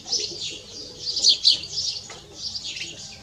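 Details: Canary and goldfinch cross delivering loud, high-pitched song: continuous rapid twittering and buzzy trills, peaking in sharp bright notes midway, then a softer rolling warble; faint low hum beneath.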